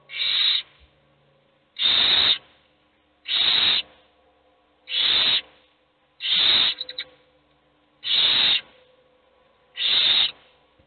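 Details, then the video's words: Owl chicks, all hungry though only one feeds, hiss out seven evenly spaced screeching begging calls, each about half a second, repeating roughly every 1.5 seconds. "Todos los polluelos tienen hambre, pero sólo come uno."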